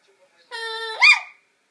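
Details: A 22-year-old yellow-naped amazon talking at bedtime, when it habitually says "Good night" phrases: a steady, nasal, mid-pitched tone then a quick rising-then-falling squawky syllable, in a quiet room.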